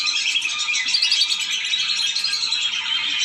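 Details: Lure sound for lesser whistling ducks used to draw them down, an unbroken mass of shrill whistled chirps overlapping one another, busy and even for the whole stretch.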